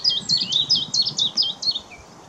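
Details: Willow warbler doing mixed singing at Whitlingham on 2 May 2017: a bright, high, sweet phrase of about eight quick whistled notes, each slurring downward, that runs evenly for about 1.8 seconds and then stops.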